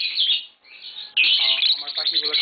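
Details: Tame green Fischer's lovebirds in a home: a shrill chirp burst, a short lull, then continuous scratchy twittering over a man speaking.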